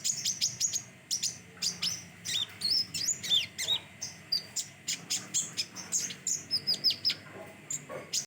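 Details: Konin, the common iora: a busy string of sharp high chirps mixed with short slurred whistles, delivered in quick, uneven bursts that keep going with brief gaps.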